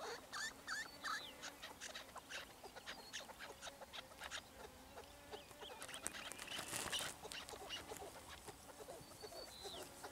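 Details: A busy series of chukar chuck notes repeats quickly and unevenly, with several birds overlapping and a louder burst in the middle.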